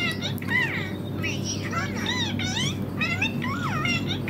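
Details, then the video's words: Green ringneck parrot chattering alongside a mobile phone, a dense stream of bending, wavering speech-like syllables, rising and falling, with short breaks, over steady low hum. "My Ringneck Green Parrot talking with mobile"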